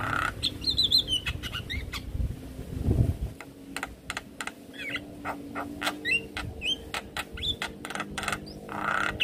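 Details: Stressed Javan myna answering the call of another Javan myna: crisp tapping clicks in irregular runs, punctuated by short twittering whistles and a wavering high note near the start, with a low rumble underneath.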